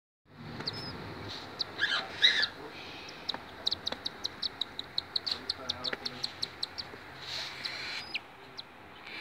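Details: Cockatiel (Nymphicus hollandicus) chick begging while being fed: rapid, high, raspy chirps, at times speeding into a steady ticking run, with a few harsher wheezy bursts and a faint low hum.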